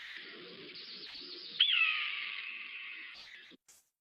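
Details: Red-tailed hawk gives one long, hoarse, descending scream rasping down over about two seconds, the call films use as a voiceover for soaring eagles; a faint low murmur underneath.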